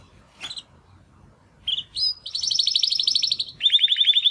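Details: Young male Timbrado canary, one of two brothers, attempting song after first molt: a few scattered chirps and sweeps, then a fast rattling trill followed by a second lower buzzy trill.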